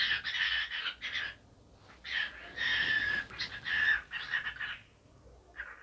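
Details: A cockatiel chatters while dancing: rough, wheezy speech-like phrases in four or five bursts, broken by brief silences, with a faint trailing note at the end.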